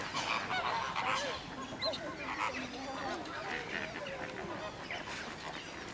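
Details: At Slimbridge, Australian wood ducks give nasal, drawn-out mewing calls, several overlapping at an uneven pace, amid a dense chorus of honking waterfowl.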